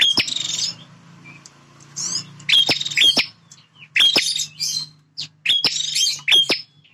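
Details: A territorial male bar-winged prinia sings persistently. Five or six harsh, buzzy high bursts come in quick pairs, each opened by snapping clicks and a short pure whistle. A steady low hum runs underneath.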